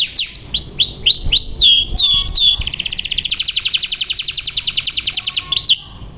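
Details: White canary singing a run of bright, slurred whistled notes, about three per second, then a fast, high rolling trill lasting about three seconds.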